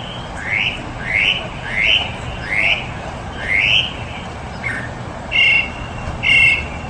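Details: Mockingbird repeating rising, slurred mid-pitched notes about every half second, then changing to short doubled buzzy notes, over a faint background hiss.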